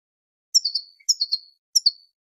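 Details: European goldfinch female calling to stimulate males toward song and mating: three clean, high descending chirp phrases, each a quick cluster of tinkling notes sliding downward, separated by short pauses in a quiet background.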